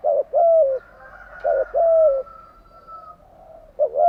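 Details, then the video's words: Spotted dove kept as a cage bird, cooing in the morning in a standard style: two phrases of a short coo then a long level coo dropping at the end, a quiet stretch with a faint tone, then another phrase starting. "Tiếng chim gáy buổi sáng"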